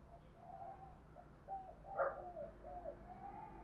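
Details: A spotted dove from Đồng Nai, Vietnam, cooing and calling, gives soft, low hollow coos in a short run, the middle note louder and slightly higher, over a faint steady background hiss; used as a lure call.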